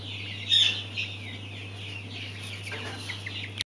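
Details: Mountain quail chicks peeping in quick, high, thin chirps. One louder chirp rises above the rest near the start, then the soft overlapping cheeping continues until an abrupt cutoff. A low steady hum runs beneath.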